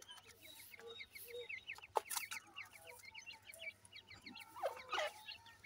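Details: Francolin chicks giving rows of short, high, thin peeping chirps in quick succession, with a few louder, sharper notes and broadband clicks mixed in, over a faint steady low hum.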